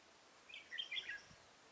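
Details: A single short, bright warbling phrase of chirpy whistles comes from a red-whiskered bulbul kept as a trapping decoy for wild bulbuls, on 23 October 2017, against a faint outdoor hush.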